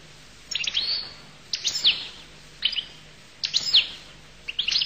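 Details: Goldfinch from Collo singing separate high, sparkling twitter phrases about once a second, mixing quick chirps with sliding, slurred notes, and a soft steady hum behind.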